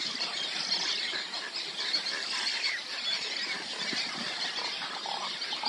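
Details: Fledged juvenile Roseate Spoonbills chasing their parents to beg for food at a Texas nesting colony, late June morning; dense, raspy squealing chatter runs without pause throughout, over the steady hubbub of many other nesting birds.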